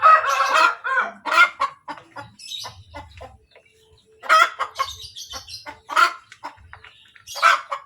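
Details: Laying hen giving its post-egg 'kotek kotek' cackle: a long opening run of rasping, stacked clucks, a quieter lull with faint clucks and low knocks, then more loud harsh bursts near the end.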